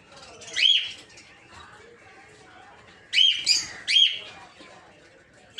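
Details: A cluster of piercing chirps, three in quick succession, after an earlier single shriek. The birds are captive rosy-faced lovebirds, including several colour mutations, kept for breeding in an aviary.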